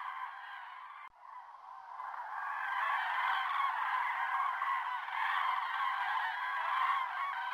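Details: Many common cranes calling at the Sotonera reservoir, 5 February 2023, captured on an OM System OM-1: a brief quieter stretch and a sharp cut, then a swelling wall of overlapping bugling, rolling trumpet notes filling the rest.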